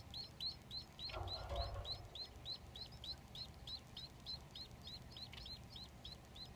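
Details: Three Society finch chicks in the nest beg while being fed by their father, with rapid, high, upslurred chirps, about three a second and steady; a brief rustle and a low background hum.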